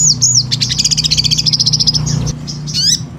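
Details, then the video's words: High, thin sunbird phrases: two quick downslurred whistles, then a rapid pulsing trill steady in pitch for over a second, closing with a burst of rising sweeps, while a low droning hum runs underneath. "Pancingan SOGON GACOR"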